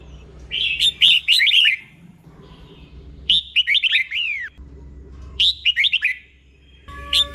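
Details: Red-whiskered bulbul delivering doubled 'beul' phrases slowly and clearly for caged birds to imitate: three similar bursts of rapid looping whistles roughly two seconds apart, plus the start of a fourth.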